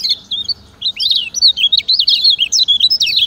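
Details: Lemon-bellied white-eye (kecial kuning) from Lombok, recorded as a master to teach other birds: rapid, continuous high twittering with quick rising and falling notes packed closely together.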